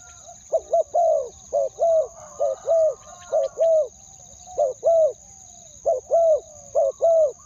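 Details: A spotted dove used to lure wild birds gives its two-syllable ku-ang call. Low, rounded coos arrive in short-long pairs about once a second, with faint background chirps and a steady high whine.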